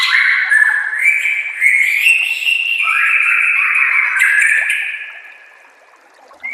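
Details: White-rumped shama song played as a master for training other shamas: long, mellow, flowing whistles wavering up and down, softening to quiet before a brief closing note.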